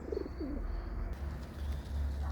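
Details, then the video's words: Outdoors among feeding pigeons, a domestic pigeon running about and singing as if in spring gives a couple of soft, low, rolling coos early on, partly buried under a steady low rumble of wind and handling noise. "A tu jeden biega gołąbek jak na wiosnę tak śpiewa."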